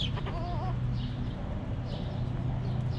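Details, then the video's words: Backyard chickens relaxing in their coop: a brief wavering, warbled cluck near the start, then quieter stretches with faint high chirps of small wild birds over a steady low hum. "Rooster Crowing! Hens Clucking!"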